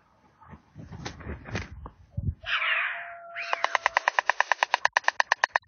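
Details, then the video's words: White stork at 6:12 on 30 August 2022, in heavy fog with roosters crowing, returns to its nest after a night on a pole and bill-clatters long, a dry, even wooden rattle about three knocks a second, after low thumps and rushing; a farewell before migrating. "Долгий прощальный стук аиста"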